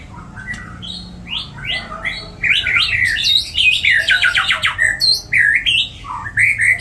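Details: Varied song of a white-rumped shama, said to carry cililin and kapas tembak material in a continuous flow. Rising slurred whistles build into fast chattering trills, rapid buzzy notes and sharp upslurred whistles, over a faint low background hum.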